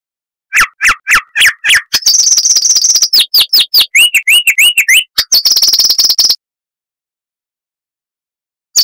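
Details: Loud, clear song of the chestnut-vented warbler, a southern African scrub bird: quick repeated chirps, then a buzzy high trill, a series of rolling upslurred whistles and another trill before silence.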